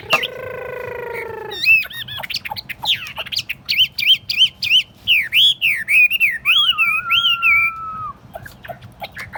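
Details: Chinese hwamei (thuần tít) in a portable cage set on a table: a long nasal buzzy note, then rich varied whistles, looping slurred phrases and a falling drawn-out whistle, with a low hum throughout.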